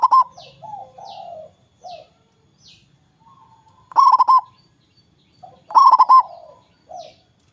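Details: Loud local zebra dove singing to prompt rivals to join in: rapid, rippling coo phrases separated by softer lower coos, three strong bursts spaced roughly two seconds apart, the setting otherwise quiet.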